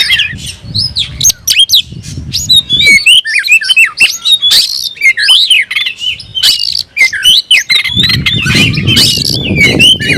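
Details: Oriental magpie-robin pouring out challenging song aimed at a rival: fast alternation of whistled upslurs, downslurs and grating chatter, with low background rumble at the start and end.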